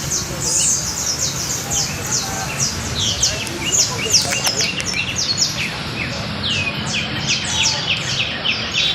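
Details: Canary giving a long, dense trill of bright, high falling notes that run without pause, over a steady noisy background.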